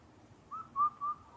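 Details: Indian cuckoo heard in Karuizawa, Japan, where recordings are rare: a single crisp whistled phrase of three level notes trailing into a faint lower fourth note, in a quiet setting.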